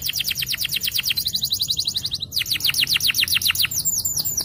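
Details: Yellow canary champion singer delivering rapid repeated falling whistles, about four per second, breaking into a short buzzy high trill, then resuming the quick downward-swept notes with a few upturned whistles at the end.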